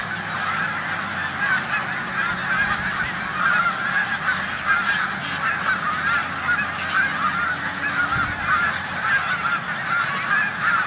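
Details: A snow goose flock in a corn field on Olmstead Road, Savannah, New York, in March 2020, days before migrating to the Canadian tundra; dense high honking chorus over a faint steady low engine-like hum.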